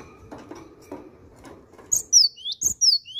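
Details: After a stretch of low clattering noise, a cinereous tit begins a loud song of repeated paired notes: a piercing downslurred whistle followed by a rising lower one, about twice per second.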